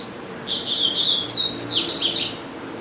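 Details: Captive double-collared seedeater, kept at home and singing nearly all day: a rapid buzzy phrase with several bright downslurred whistles and trilled notes, loud and clear indoors.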